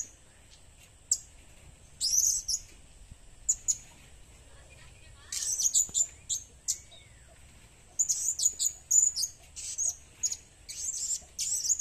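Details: Blue-crowned hanging parrot calling for use as a lure: thin, very high squeaky chirps and tsee notes, given singly and in short bursts separated by pauses, with a faint low hum beneath.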